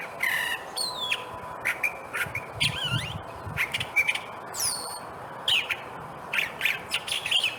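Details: California Thrasher, hard to see, singing in the background on a hike in Monrovia's Hillside Wilderness Preserve: a rambling string of varied phrases, harsh squawky notes mixed with clearer whistles and chirps, changing every half second, much like a mockingbird.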